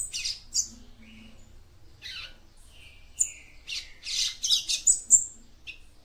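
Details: Song of a female yellow-bellied seedeater, used to stimulate a male: scattered high chirps and short buzzy notes that quicken into a dense, lively run of sharp twitters near the end.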